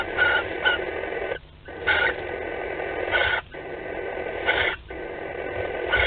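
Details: Barn owls at a nest box in Théding, France, on 25 May 2020, during courtship and mating, captured by a webcam: long raspy hissing screeches in drawn-out bursts, broken by short gaps.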